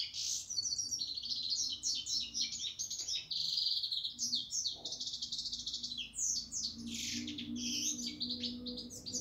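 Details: European goldfinch in sustained song, a rapid jumble of high, twittering, chattering notes and short buzzy trills that runs on with almost no pause, over a faint steady low hum.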